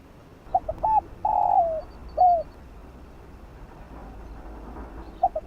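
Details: Spotted dove in field-style voice, cooing to rouse and train decoy birds: two short hooting notes, a long drawn coo sliding down at its end, then a clipped closing note, with soft background hiss.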